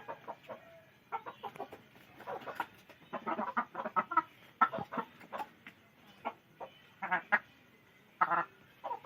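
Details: Chickens clucking, with dense bursts of short, harsh clucks in uneven clusters, some overlapping, and brief pauses between runs.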